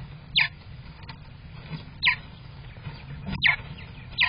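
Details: Nest #11 of a purple martin colony, late May 2023: a single sharp downward-slurred chirp repeated roughly every one and a half seconds, over a low background hum.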